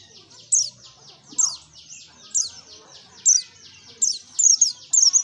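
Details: White-eye (pleci) lure recording, 'gacor ngalas nembak': loud sharp high notes repeated about once a second, then a quicker cluster near the end, above a steady background of buzzy repeated chirps.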